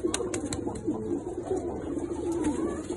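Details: Mukhi pigeons from a collection of red, black, yellow and silver birds, several cooing at once in low, rolling, overlapping coos with short repeated notes and steady background hiss.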